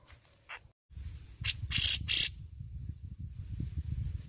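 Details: Grey-cheeked bulbul (Alophoixus bres), likely a singing cage bird, giving three loud, harsh rasping bursts in quick succession, each about a quarter-second long, over a steady low rumble of background noise.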